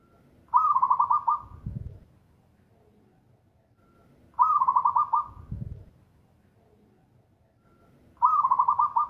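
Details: Local zebra dove calling loud and clear: three bubbling, rapidly pulsed coo phrases spaced nearly four seconds apart, each trailed by a soft low thud.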